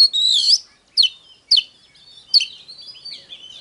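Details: Oriental magpie-robin singing hót déo to stimulate fighting: a long rising whistle, then sharp separate notes about half a second apart, trailing into softer wavering warbles.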